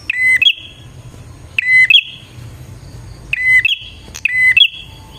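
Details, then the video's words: Lure recording of bar-winged prinia song. Four loud phrases, each a buzzy stutter then a level whistle stepping up into a sustained higher whistle, over faint low background hum. "suara burung prenjak gacor ini 💯% Paling Ampuh buat pikat dan pancingan prenjak bahan"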